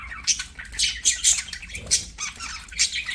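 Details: Budgerigars singing and playing chatter in a fast, scratchy warble of short squawks and chirps, with bursts every half second or so, high-pitched and busy.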